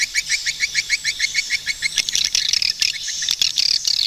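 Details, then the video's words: Swiftlet calls: an evenly paced run of short, bright chirps, roughly three each second, then a denser buzzy twitter with scattered clicks. "Swiftlet bird sound"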